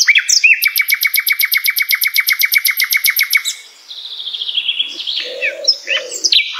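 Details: Common nightingale song for tutoring murai batu: a long, even, machine-gun series of about thirty loud repeated notes over three seconds, then a quieter whistled phrase, bright chirps and low hoarse notes.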